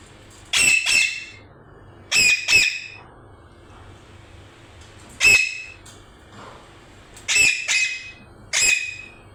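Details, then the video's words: Parrot making repeated pairs of sharp, raspy squawks separated by pauses of one to three seconds, loud against a quiet background. "Parrot making noise||parrot real sounds"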